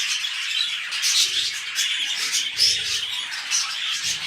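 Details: Pet budgerigars during mating, starting a new clutch: busy high-pitched warbling with bright squeaks and a clear short whistle amid the chatter, plus some low rustling and knocking.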